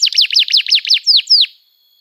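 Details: A canary delivers rapid, chattering downslurred notes, about eight in quick succession with doubled elements, ending in two cleaner descending whistles. It is used as a singing lure for young canaries.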